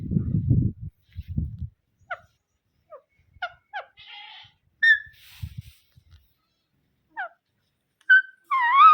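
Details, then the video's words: Rose-ringed parakeet giving short, sharp, downward-slurred chirps at irregular intervals, ending in a wavering, harmonic squawk; low thumps and rumbling open the recording. "Ringnaeck parrot sound"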